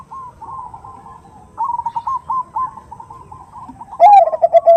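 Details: Perkutut (zebra dove) lure recording of a female calling a male, the 'nutut' sound: soft stuttered cooing trills run steadily, then a louder, deeper rolling coo bursts in at the end.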